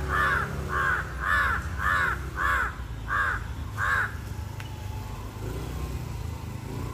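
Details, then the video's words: Crow giving seven harsh, evenly spaced caws in about four seconds, then falling silent while low vehicle rumble continues in the background. "Crow calling powerfully n incessantly"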